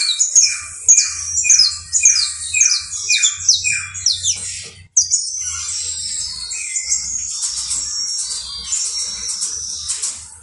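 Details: Saffron finch, known as canario basto criollo, opens with a steady series of falling chirped notes about twice a second, breaks briefly, then continues into a dense, buzzy high trill.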